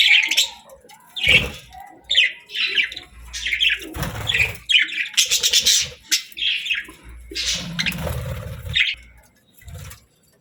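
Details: Cheerful pet budgerigars chirping as they eat: clusters of short squeaky chirps and warbled notes with gaps between, some soft low rustling and thuds from feeding.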